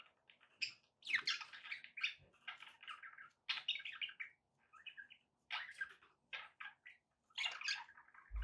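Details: Pet budgerigars chattering with background noise: fast high twittering and scratchy warbled phrases in repeated bursts separated by brief gaps, with a low thump at the very end.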